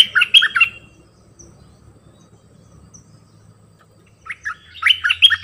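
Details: A decoy bulbul sings a short, bubbly phrase, falls quiet for over three seconds with faint low background noise, then sings another lively warbled phrase.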